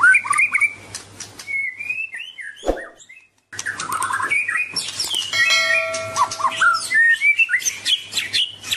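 A White-rumped shama sings a rich, varied song of clear slurred whistles, rapid chattering trills and harsh notes, broken by a short pause and a knock. A low hum runs underneath.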